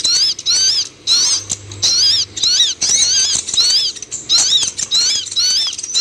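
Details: Sunbird, locally called kolibri ninja, in song played as therapy for a caged bird reluctant to sing: bursts of high, twittering, zigzag chirps about every second, with a faint low hum beneath.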